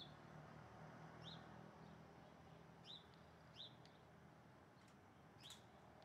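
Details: Hornero calling: four short, clear arched notes, each rising then falling, given at irregular intervals of roughly half a second to a second and a half, over a steady low rumbling background noise.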